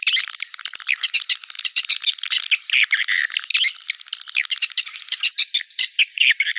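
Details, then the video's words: Swiftlet calls meant for a swiftlet house: continuous high, scratchy twittering in rapid pulsed bursts, with short whistled notes rising and falling between the chatter and brief pauses every second or so. "SUARA BURUNG WALET"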